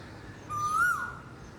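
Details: Asian koel (koyal) calling: a single clear whistled note about half a second long, rising slightly then dipping at the end, over faint steady background hiss.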